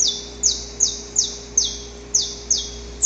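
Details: Saffron finch song recorded in the wild, a repertoire of loud repeated syllables; here a run of high, sharply downslurred notes at roughly three per second, with a faint steady low hum beneath.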